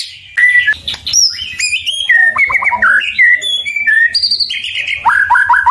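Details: White-rumped shama song, used to excite rival shamas into answering, full of varied clear whistles at many pitches, high pure notes, short chattering trills, and a closing run of quick repeated dropping notes.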